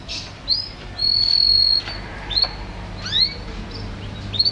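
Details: Canary singing, unedited: scattered short, high upslurred chirps around a sustained, pure level whistle, with brief gaps between phrases and a soft background hum.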